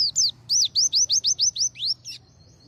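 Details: Morning white-eye song after bathing, delivered in full tembakan style: a rapid string of about ten high, rising-then-falling whistled notes, evenly spaced, ending in a soft trailing note.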